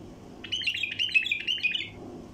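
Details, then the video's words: Wild bulbul lure call meant to attract passing flocks: one rapid burst of sharp, scratchy chirps and quick warbles running about one and a half seconds, then quiet with a low background hum. "اقوى طياريات بلبل وحشي لفتح البلابل القافله"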